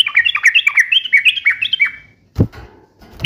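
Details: Sooty-headed bulbul giving a quick, bubbling sequence of liquid, slurred chirps for about two seconds, followed by a dull knock or thump.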